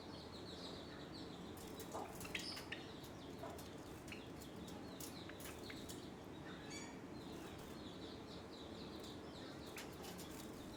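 Java sparrows give sharp, high chips and short clicking notes in scattered bursts during a fight, over a steady background hiss.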